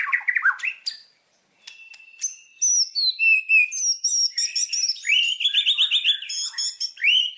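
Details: White-rumped shama (murai batu) from Indonesia, song used as a lure to get birds singing: rich, varied whistled phrases, upslurred and downslurred notes, then rapid sharp high chips and warbled runs, with a short pause near the start.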